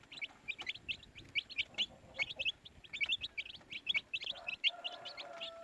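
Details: Baby chicks give quick, sharp, slightly rising peeps in rhythmic bursts, a crowded chorus over soft background noise, with a faint steady tone toward the end.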